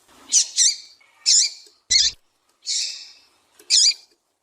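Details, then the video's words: Female double-collared seedeater calling to stimulate males to sing: buzzy, harsh high notes with a downward-looping tail, about five separate notes spaced irregularly over a few seconds. "Piado de Fêmea de Coleiro Para Esquentar Macho"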